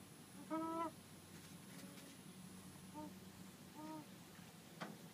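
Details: Chicken giving an odd whining noise, recorded on a mobile phone: one clear nasal harmonic whine, then two fainter, shorter whines a second apart, with a quiet click near the end and faint hiss throughout.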